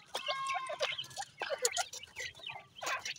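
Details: Grey francolin chicks: irregular short clucking notes mixed with thin whistled peeps, in clustered bursts with brief gaps.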